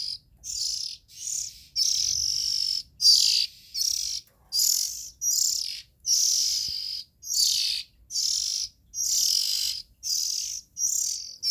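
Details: Oriental magpie-robin young giving a long run of rasping, breathy hisses, each near half a second, following one another steadily with brief pauses between.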